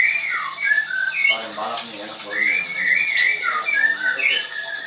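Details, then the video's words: White-rumped shama in a cage at a Tangerang, Indonesia bird training school gives clear whistled notes, paused briefly by a murmur of human speech, then resumes a looping run of short whistles. "MURAI BATU LEUSER"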